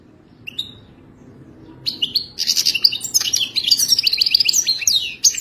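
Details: Wild goldfinch singing its mating song: a lone thin note, then a long, fast, liquid outpouring of twittering, trilled and buzzy notes that keeps building to the end.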